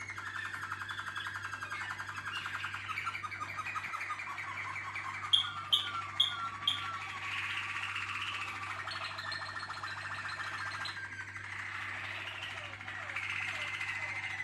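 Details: Waterslager canary team with varied song: low bubbling rolls, a string of four bright sharp notes, sliding descending phrases and sustained rolling trills, shifting between pitches over the passage.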